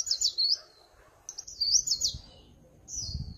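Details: White-eye song of the líu pha chòe type: short, very high twittering phrases of quick zigzag notes, a pause, then another warbled run and a brief closing slur.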